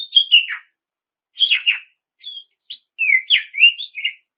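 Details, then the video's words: Song of an Oriental magpie-robin meant to spur rival birds into singing: rich slurred whistles and buzzy falling notes in short bursts, with a pause between phrases, then a run of looping whistled notes. "KICAU PANCINGAN SUARA KACER GACOR NGEPLONG MEMANCING LAWAN UNTUK BUNYI LANGSUNG NYAUT"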